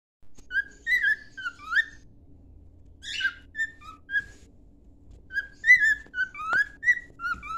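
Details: Pet cockatiel whistling a song meant for training: clear level and rising whistles in small groups, broken by one buzzy, scratchy note near the middle, with a quiet hum in the background.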